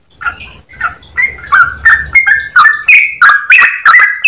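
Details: Yellow-vented bulbul in active long song with a clear voice: the opening notes are softer and buzzier, then crisp repeated notes build in loudness at a fast, steady pace.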